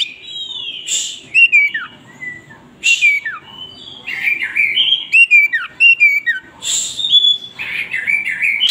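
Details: An Oriental magpie-robin in full song with its tail spread: loud, clear whistled notes that swoop and drop steeply, alternating with short hissing, buzzy bursts in a lively, varied sequence.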